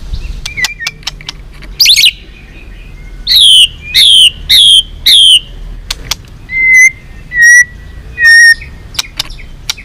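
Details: White-rumped shama fighting-provocation song: clear downslurred whistles repeated about once per second, with sharp clicks and brief high ticks between phrases.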